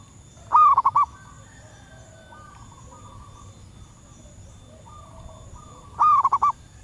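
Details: Female zebra dove in the wild, calling males and used to lure birds. Two loud phrases, each a rising coo breaking into rapid stuttered notes, about five seconds apart. Several softer, distant doves coo in between over a steady high hum.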